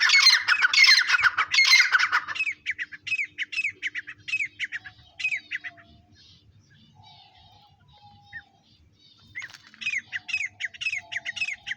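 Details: Grey francolin opening with loud harsh squawking, settling into a quick train of short, sharp notes, falling quiet, then resuming the rapid note series.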